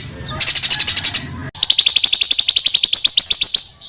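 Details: Songbird master for training competition birds; quick strings of sharp high chips, about four per second, in two bursts, the second long and steady, over faint low background hum.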